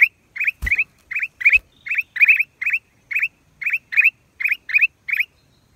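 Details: Black-crested bulbul, April 2023: clipped, upward-flicking chirps given one after another, sometimes in quick pairs, over a quiet background with two sharp knocks near the start.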